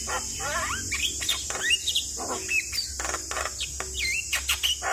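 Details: Asian pied starling singing to stimulate stressed birds: wavering whistles and harsh notes over a loud constant high-pitched hiss and low hum.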